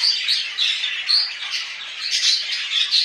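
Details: Household budgies give loud, shrill chatter, a steady run of squeaks and short whistled notes repeated several times a second, with sharp piercing peaks, recorded in a small indoor room.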